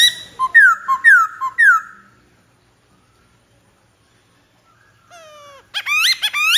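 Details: Black-throated laughingthrush song with three loud, rolling, falling whistles in the first two seconds, silence, then a low drawn-out note followed by a bright series of rising whistled phrases.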